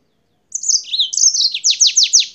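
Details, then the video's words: A singing yellow-fronted canary from Spain delivers slurred whistled notes, then four loud sweeping notes that drop sharply in pitch, each following the last in quick succession. "CANÁRIO-DE-MOÇAMBIQUE DIRETO DA ESPANHA CANTANDO MUITO"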